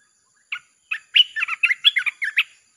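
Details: Red-whiskered bulbul in a nonstop 'chopping' song style, played to lure wild birds; a short note, then a fast tumbling run of bright, warbled chirps rising and falling.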